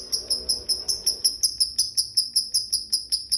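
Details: Lovebird in 'ngetik' style, part of a long 'ngekek' chatter prized by bird keepers: crisp, high, evenly spaced tick notes, roughly two to three per second, with faint low hum beneath.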